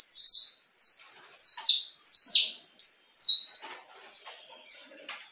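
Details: Mutation saffron finch, a distinctive colour variant praised as a good singer, delivering bright high chirped notes in quick slurred bursts roughly twice a second, then softer scattered chips fading out.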